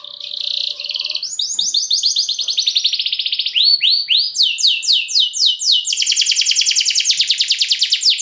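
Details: Lure song of a luxury-song canary for stirring other canaries: a buzzy high opening, then long runs of quick repeated sweeping notes changing tempo, closing in a dense, very fast metallic trill.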